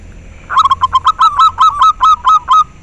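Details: Local zebra dove calling, used to stimulate breeding drive in captive doves and to lure birds. There are about ten short, rapid, mellow notes at mid pitch, evenly spaced in a quick rhythmic series lasting two seconds, with a faint low hum behind.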